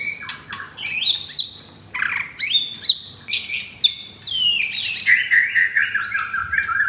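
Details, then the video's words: Caged fourth-generation captive-bred pied (blorok) white-rumped shama in Jakarta, Indonesia, singing coarse-material song: rapid varied whistles and slurred notes, some sharply rising, ending in a run of lower warbled phrases. "Murai Batu F4 Blorok Materi Kasar"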